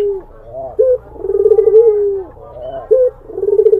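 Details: Low, melodious cooing from a Barbary dove trying to charm a rival. A brief hooked note leads into a drawn-out vibrating coo, repeated twice, with little background sound.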